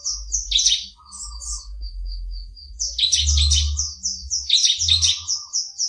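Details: Wild-caught Sumatran prinia (ciblek semi), kept about two weeks and coming into breeding condition, singing loudly: high, thin whistled notes strung into rapid buzzy trills and chattering bursts, repeated with brief pauses; low room hum underneath.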